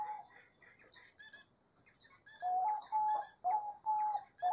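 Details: In nature, a diamond dove gives four or five clear coos, each rising slightly then holding steady, about one per second, after a stretch of high, twittering chirps from other birds.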